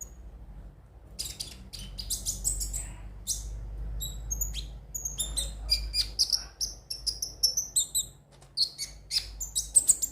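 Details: High-pitched konin sunbird song meant to spur birds to sing: dense clusters of sharp ticking chirps building into quick repeated twitters, with a low background rumble.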